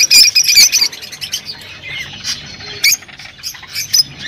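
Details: Song of rosy-faced lovebirds alongside Fischer's lovebirds, meant to encourage breeding: sharp, piercing high chirps in quick irregular bursts, loud at first, softer twittering in the middle, then a few strong squeaks again.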